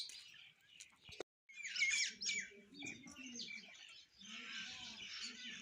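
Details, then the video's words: Sparrows chirping while eating food: a busy flock of short high chirps and squeaks overlapping, with a sharp click near the start and low murmuring sounds underneath. "eating Sparrow Chirping Sound | Sparrow Birds Eating Food Chirping"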